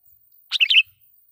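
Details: One brisk, bubbly phrase of several chirped notes from a sooty-headed bulbul, a loud lure song used to call rival wild bulbuls and make them agitated.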